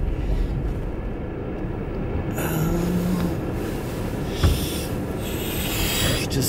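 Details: Loud low rumbling of a passing train or vehicle, with rattling, a brief squeal and hissing; no animal calls.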